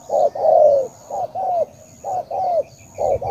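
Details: Spotted dove from Cà Mau, Vietnam giving low, mellow coos in pairs, a quick note then a longer slurred one, repeated roughly every 0.8 seconds against a thin high background whine.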